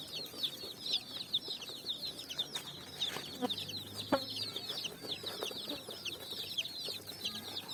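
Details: Brightly coloured chicks on sand, hunting for food in the evening; a constant flock of shrill descending peeps, joined in the middle by sharp clicks and scuffing knocks.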